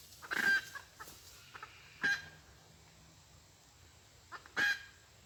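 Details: Red junglefowl recorded on 23 February 2022 during decoy hunting for wild junglefowl. Three short harsh bursts with a clear tonal note, spaced about two seconds apart, with faint clucks between them over quiet background hiss.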